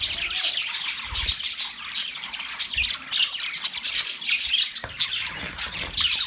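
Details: Budgerigars chirping: a dense, continuous chatter of overlapping high warbles, squeaks and sharp chirps, with brief louder squawks near one and five seconds and faint low thumps underneath.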